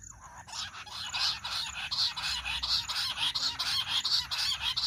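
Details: Loud chorus-like series of grating, rhythmic notes from jungle bush quail, starting after a brief quiet half second and continuing steadily at about one and a half notes per second; a sound used by quail hunters.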